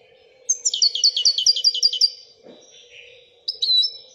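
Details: Moroccan European goldfinch singing in the Wedania style: a fast series of about a dozen bright, repeated chirping notes, followed by a softer buzzy twitter and a short final ringing phrase.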